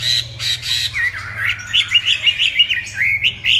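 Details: Chinese hwamei giving a fast, chattering twittering song of short slurred notes, rising and falling, preceded by a few rough harsh notes and a low hum underneath.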